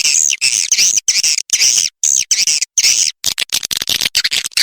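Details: Swiftlet sounds used to lure swiftlets: continuous high, wavering chatter that turns into quick, clipped bursts of chirps near the end.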